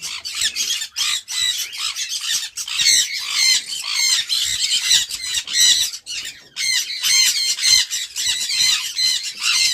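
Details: Sun conure screeching in harsh, shrill squawks, many short bursts packed closely together with brief gaps, loud and steady throughout.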